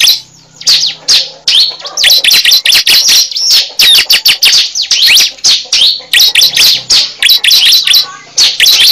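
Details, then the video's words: Cible bird recorded as a lure: long sequences of shrill, staccato chirps, with sweeping whistled notes, repeated in fast, almost continuous bursts. "Pikat suara burung cible terbaru sangat ampuh"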